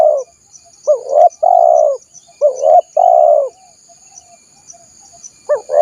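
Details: Spotted dove cooing, used as a lure call to attract wild doves: low, soft hooting coos in short groups, a brief note followed by a longer drawn-out coo, repeated several times with short gaps; a thin steady high tone in the background.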